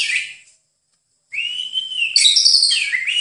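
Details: White-rumped shama song from a training master recording: a fading whistled note, a pause, then a long steady whistle that breaks into a burst of bright, tumbling high notes.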